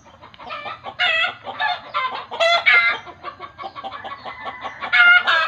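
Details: Alarmed chicken cackling loudly in uneven bursts, said in local village belief to call like this on seeing a ghost; rough harmonic squawks with a few drawn-out shrieking notes.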